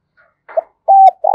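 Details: Brief snippet of a decoy spotted dove calling to lure wild doves: a soft rough note, then a sustained level coo and the start of a buzzy, pulsing coo, in a quiet setting.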